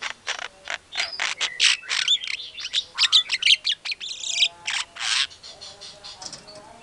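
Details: White-rumped shama (Copsychus malabaricus), song.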